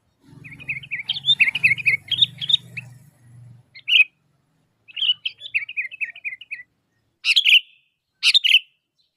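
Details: Sooty-headed bulbul chattering to lure other bulbuls into answering: rapid strings of bubbly, warbled notes, then a pause and more rolling chirps and two sharp single calls, over a low droning hum during the first half.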